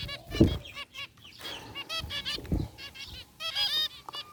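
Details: Zebra finches, white and gray varieties, kept together in a cage, give quick nasal beeps and stacked honking chirps, interrupted by a few dull low thumps.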